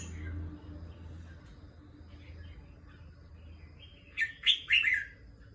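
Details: Red-whiskered bulbul, a competition songbird, heard after several seconds of rumbling background noise. Near the end it gives a brief, loud run of three sharp, warbling chirps.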